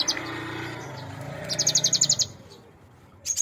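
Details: Young adult cinereous tit, raised by hand from a nestling, in full-fill song: one fast, high trilled burst of about ten clipped notes, then a pause and the start of another phrase.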